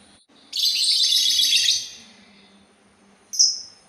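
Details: Sultan tit delivering one long, grating rasp of over a second, followed after a pause by a short, sharp whistled note.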